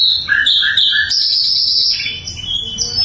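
A flycatcher sings a rapid, bright series of high whistled and chattering notes, shifting pitch every few tenths of a second, with faint background hum.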